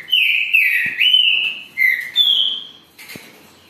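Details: Trinca-ferro, the green-winged saltator, delivering a short, powerful phrase of long slurred whistles, first level, then dipping and rising, with a final higher drawn-out note and a brief soft note after.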